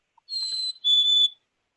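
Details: A chickadee's clear two-note springtime song: a higher pure note, then a slightly lower held one, rendered 'hi sweetie'. Nothing else is heard.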